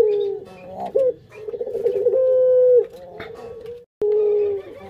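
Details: Collared dove kept as a pet, uttering soft low coos, one held steadily for about a second, then a brief pause and another falling coo.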